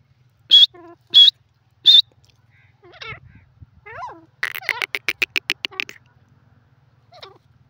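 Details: Grey francolin calling, described as a desi teetar voice used for hunting. Three loud, high, clipped notes open the sequence, followed by scattered softer notes and a rapid burst of about a dozen pulsed notes, with a faint low hum behind.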